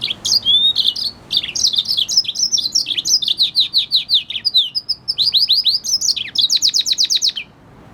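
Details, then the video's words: Red siskin in sustained song: fast, high, twittering phrases of chirps and trills running almost without pause for over seven seconds, ending in a rapid buzzy rattle, then quiet. "Red Hooded Siskin singing | Cardenalito Venezuela Canto"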